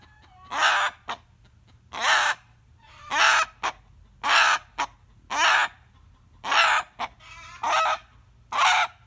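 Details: This rooster screams whenever it hears a hen cackle. A steady series of rasping, strained cries repeats about every 1.2 seconds, each followed by a short sharp yelp, over a quiet background.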